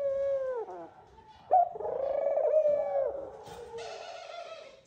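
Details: Eurasian collared dove male at the nest luring the female during courtship, giving a falling moan, then a loud sustained nasal coo that slides downward, with wing or feather rustling near the end.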